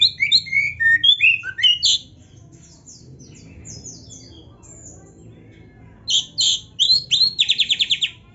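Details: An Oriental magpie-robin sings a tutoring song for kept birds: jumbled whistled phrases, a quiet gap of several seconds, then loud harsh notes and a quick stuttering trill.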